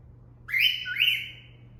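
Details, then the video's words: A female cockatiel gives a wolf whistle she was taught: two clear, high rising whistle notes, the second trailing off in a long falling slide, over a faint low hum. "I Taught My Female Cockatiel How To Whistle (Cat Call)"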